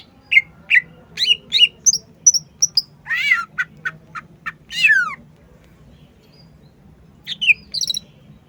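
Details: Cucak ijo, a green leafbird, in lively song. Rapid chipped and whistled phrases, a burst of steeply falling slurred notes in the middle, then a pause before a final pair of high twittering calls.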